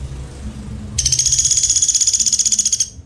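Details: A Sampit woodpecker gives a high, rattling trill of fast, even pulses, roughly thirteen a second for nearly two seconds, over a faint low hum.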